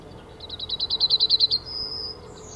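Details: Recorded at 10:55 on 17 February 2019 in the Ahsewiesen reserve, a male yellowhammer gives roughly a dozen fast repeated high notes, then a long level note. A second, thin rising note follows at the very end over a quiet background.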